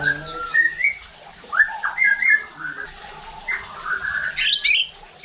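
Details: White-rumped shama singing as a provocation recording to rouse other shamas: long whistled slurs and clipped notes, ending in a sharp high burst, over steady low background hum.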